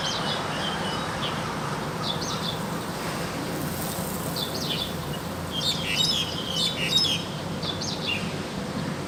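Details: Actively singing wild crested myna giving a run of bright, warbling whistled phrases, some sharp and ringing, repeated roughly once a second against low constant noise.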